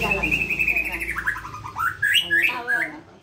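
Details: White-rumped shama singing in the pastol style, offered as a tutor song for terotol birds: a long steady whistle, then a run of quick sliding whistled notes dipping and climbing again, with low human voices underneath.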